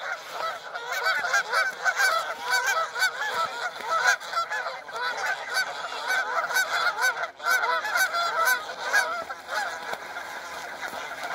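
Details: Flock of wild Canada geese on the Rideau River, Ontario, in August, loudly honking while two birds fight viciously in the water, biting beaks and flapping; recorded by phone from a safe distance. Dense, overlapping nasal honks roughly twice per second throughout.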